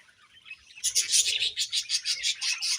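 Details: Budgies chirp as they eat. A brief near-silence gives way to a loud, pulsing run of high chattering notes repeated in quick succession.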